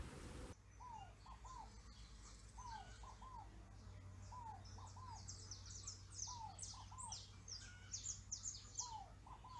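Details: A Scaled Dove (Columbina squammata) gives soft, hollow coos in quick pairs, repeated about every two seconds, over busy high chirping from other birds and a low background hum.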